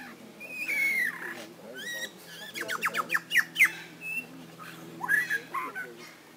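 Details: Mimicking lyrebird at Healesville Sanctuary: a slurred whistle, then a rapid burst of clicking, repeated notes near the middle, followed by scattered chirps and sweeping whistles, with a soft hum of voices behind.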